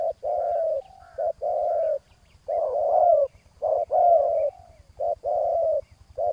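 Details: Spotted dove calling during ground-level decoy luring of a wild rival: repeated hoarse, mid-pitched coos in paired bursts, some ending in a brighter rising note, over a faint low rhythmic pulsing.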